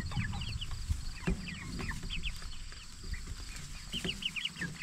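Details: Cornish Cross broiler chickens, jumbo type, 44 days old and raised for meat, utter short paired high peeps in small bursts over constant low machine-like humming and scratching.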